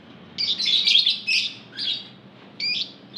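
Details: Many lovebirds kept as a flock, their voices used to coax other lovebirds into song; a burst of harsh, shrill chattering, then separate screechy chirps with short pauses.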